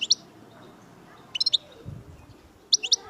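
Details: Brief clusters of sharp, high chirps from a European goldfinch, Algerian chardonneret major, spaced over a second apart above a faint low background hum.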